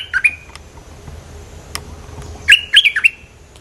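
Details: Bulbul voice used for luring birds: two quick chirps open, a quieter gap follows, then a loud tight burst of four or five bright, bouncing whistled notes.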